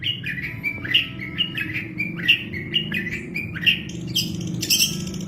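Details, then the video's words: Long-tailed shrike master song for cage-bird training: repeated short rising chirps about twice a second, ending in harsher squeaky high notes, over a constant low-pitched hum. "MASTERAN BURUNG CENDET PALING DI CARI"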